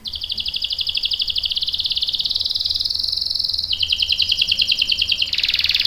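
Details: Canary delivering a long rolling song meant to draw other canaries into answering: an unbroken fast buzzy trill that steps between pitches several times across six seconds.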